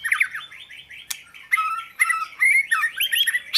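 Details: Oriental magpie-robin song made of varied, rapid chirps and slurred whistles, sharp clicks and bursts of squeaky notes in quick succession, sounding busy and irregular.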